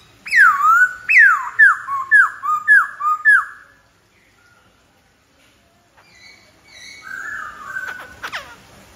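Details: Black-throated laughingthrush song: a rhythmic series of six loud whistled notes, each swooping down then flicking up, about two per second. Quieter whistles and clicks follow after a pause.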